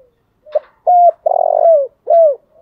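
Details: Decoy spotted dove's morning calling coo, one full phrase: a brief soft note, a flat clear coo, a drawn-out rolling coo ending in a downward slide, then a bright falling coo.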